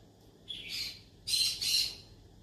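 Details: Yellow-sided conure seeking friends to talk to gives a hoarse drawn-out squawk followed by two louder rasping squawks in quick succession.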